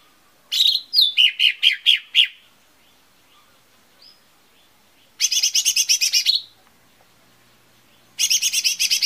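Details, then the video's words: Lesser green leafbird lure song for making birds sing: a run of loud repeated chirps, then after a pause two dense buzzy rattling bursts of very fast notes, separated by silence. "SUARA PANCINGAN CUCAK IJO MINI PALING AMPUH"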